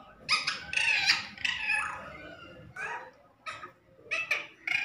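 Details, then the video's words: Talking parrot producing harsh, speech-like bursts in several separated phrases, with broad raspy tones and pauses between utterances. "Parrot talking तोता - तोता बोल रहा है - Bolne Wala तोता - Best Talking Parrot"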